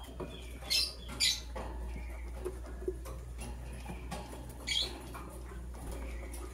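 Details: Green and blue lovebirds preparing for egg laying make scattered squeaky high chirps, a pair early and another later, against a steady low hum and light rustling.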